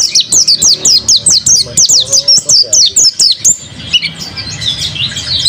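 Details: Mountain white-eye kept as a songbird, delivering a brisk, regular series of about thirteen high downslurred notes, roughly two per second, followed by a softer, jumbled twitter.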